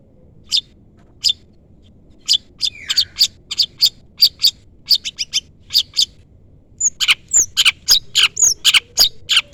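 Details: Long-tailed shrike calling to lure a rival. Scattered sharp, scratchy notes gather into a quicker rhythm, and a slurred descending whistle appears early. Thin high whistles mix with the harsh notes near the end.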